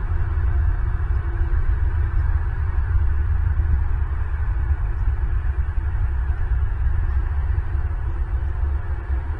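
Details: Steady low hum and rumble from a nest camera, with no animal voices.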